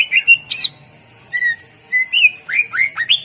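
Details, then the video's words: Greater green leafbird in full song, recorded as a lure for birds that have stopped singing: clear whistled notes, some rising, some slurred downward, delivered in short groups with brief gaps. "Suara Pancingan CuCak Ijo / Murai Ijo Gacor Ampuh Bangat Burung Pancing Burung Yang Macet Suara"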